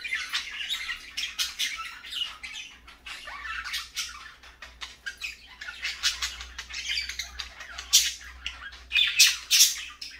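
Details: Parakeets in the morning chatter in a busy stream of harsh squawks and quick high chirps, overlapping with almost no pause, with a low hum underneath.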